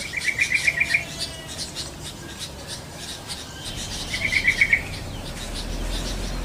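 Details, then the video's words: Yellow-vented bulbul in the wild. Two quick bursts of five or six bright, bubbling notes at mid-high pitch, about three seconds apart, over a steady rustling background. "SUARA BURUNG TRUCUKAN DI ALAM LIAR"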